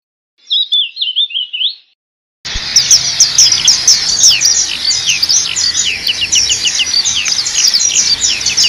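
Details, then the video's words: Black-capped white-eye, described as a tireless singer, in a tutor recording for training birds: a short high warbled phrase, a brief silence, then a dense run of rapid, thin, high-pitched twittering chirps. "Masteran suara burung Pleci Topi Hitam/Dahi Hitam gacor"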